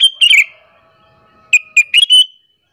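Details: A chatty sooty-headed bulbul calling to lure other bulbuls into agitation: a chirpy opening phrase, a short lull, then a quick run of four sharp notes ending in a held whistled tone.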